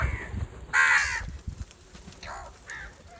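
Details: House crows calling angrily while gathering over rice food, fighting for it; one loud harsh caw stands out, followed by fainter distant caws and low rumbling background noise.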